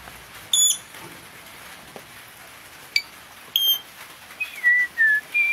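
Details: Decoy Blue-rumped parrot used for luring wild birds: short piercing whistled notes at intervals, then a run of four lower slurred whistles, each dropping slightly in pitch, against a quiet background.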